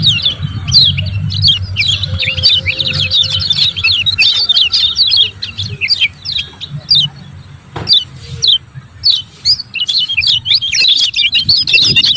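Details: Lemon-bellied white-eye chattering song used to coax quiet birds into song and challenge rivals: long bursts of fast high twitters, a short pause midway, then more bursts, with low hum behind.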